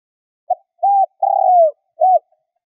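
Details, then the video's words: Cooing of a decoy spotted dove meant to provoke wild doves: a faint opening note, then three mellow low coos, the middle one longest and falling in pitch, with nothing else audible. "Tiếng cu gáy mồi gáy gọi hay kích bổi nhanh nổi hiệu quả"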